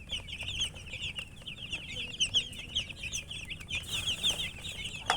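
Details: Baby chickens chirping together: a busy, unbroken stream of shrill, short peeps from many chicks, with a few louder notes standing out and a soft low hum behind.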